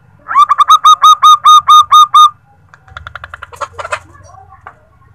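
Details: Zebra dove female calling a male, meant as a lure to get an answer: ten clear ringing notes in quick succession over two seconds, followed by softer chattering bursts and a low background hum.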